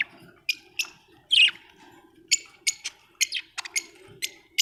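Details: Happy budgerigar giving a string of short, sharp ticking chirps spaced irregularly, broken by one louder harsh squawk early on, over a low background hum.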